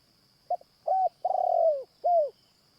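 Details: One full coo phrase from a Spotted Dove on a morning decoy-trapping session, the caged bird drawing wild doves: brief clipped notes, then a level hoot, a drawn-out descending coo and a final curved note; thin insect drone throughout.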